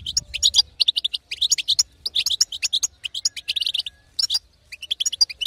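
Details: Rapid, sparkling twitter of a female European goldfinch, the betbeta style meant to excite a silent male; clipped high notes come in uneven runs with brief silences between.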